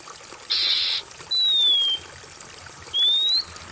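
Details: Oriental magpie-robin, used as therapy for a stressed bird that has stopped singing: a harsh buzzy burst, then a clear whistle falling in pitch and a second whistle rising, over softly trickling water.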